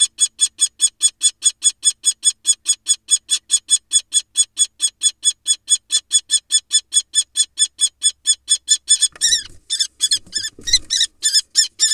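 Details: Female common kestrel, wild, battling a male barn owl over a shared nest box to protect her egg; long, very even run of sharp, high, strident kee notes, roughly four a second, breaking into ragged scuffling and calls near the end.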